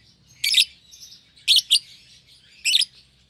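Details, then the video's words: A pair of lovebirds sharing one cage, euwing green opaline and albino, both young: three bursts of shrill, rasping chirps, the middle one doubled, over quiet twittering. "Lovebird Chirping Sounds"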